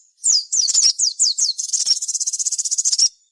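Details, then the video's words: Sogon lure song: a string of about six loud downslurred whistles, then a fast, even, buzzing trill lasting over a second. "cukup putar suara sogon gacor ini"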